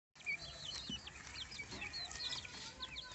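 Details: Baby chicken chicks: many thin, high peeps and short chirps overlapping continuously, some rising and some falling, from a small group calling together.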